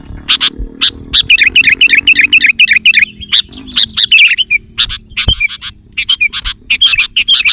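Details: Gacor song of a sooty-headed bulbul used to call wild bulbuls: rapid runs of bright chirps, some isolated sharp notes, over a faint low humming background.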